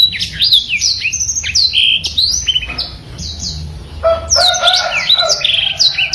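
A Black-throated canary pours out a fast, unbroken song of high twitters, sweet whistles and rolling trills, dropping briefly to lower warbled notes near the end.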